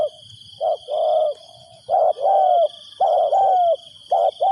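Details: Spotted dove acting as a decoy to lure wild doves, giving three phrases of a brief coo followed by a longer drawn, falling croo. A steady high drone is present throughout.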